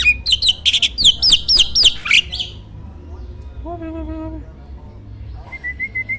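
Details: Champion competition starling, a captive bird used as a master for training songbirds, with a loud, varied song: a rapid run of sharp, high chirps and slurred whistles, then a low nasal drawn-out note and a thin steady whistle.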